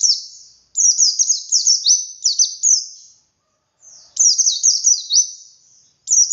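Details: High, sweet white-eye song in the wild ngalas style, used to spur captive birds to sing: long strings of quick, sliding notes in two main bursts with a pause between.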